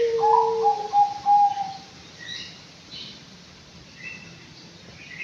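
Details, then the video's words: Five-month-old Anggungan in an aviary: a short low whistle, then a run of slightly higher, evenly spaced whistled notes over about a second. Faint chirps from other birds and background hiss follow. "BURUNG ANGGUNGAN USIA 5 BULAN"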